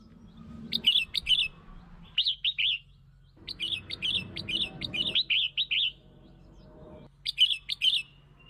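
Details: Red-whiskered bulbul song for luring and stimulating other bulbuls; several short bursts of fluty, tumbling notes, each a few seconds apart, over a steady low hum.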